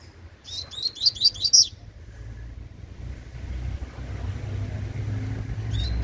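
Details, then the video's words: Loud, clear tui tui phrase from a young Double-collared Seedeater: five quick, high, sharply struck notes in about a second, followed by quiet with a low steady hum and a faint final note. "FILHOTE DE COLEIRO TUI TUI"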